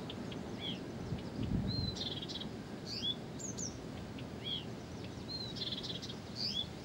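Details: Persistent song of a Blyth's reed warbler: a phrase of a sliding whistle followed by trilled notes, repeated about three seconds later, with scattered clicks and a low background rumble.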